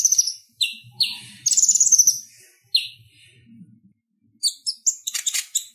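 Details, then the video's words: Konin, the Purple-throated sunbird, giving a clear, relaxed chattering song meant for tutoring kolibri ninja songbirds. Sharp high chirps and short buzzy twitters come in separated bursts, with a quiet gap in the middle. "Suara Ocehan Konin Gacor Tajam Ampuh Buat Masteran Kolibri Ninja | Purple-throated sunbird"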